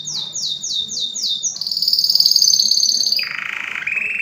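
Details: Canary in full song for bird tutoring: about five repeated descending sweeps, then a fine, very high rapid trill, then a lower, coarse buzzing roll to finish.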